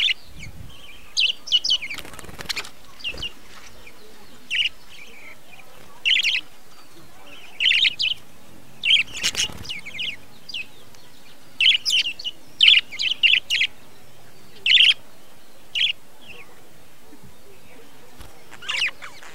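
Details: A breeding colony of budgerigars in 2020 gives short, bright chirps in scattered bursts, with a couple of soft wing-flutter sounds.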